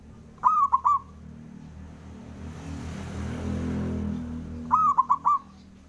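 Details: Male local Javanese zebra dove calling to provoke rival males into answering: two mid-pitched cooing phrases, each one long note followed by two short ones, about four seconds apart, with a passing vehicle's rumble between them.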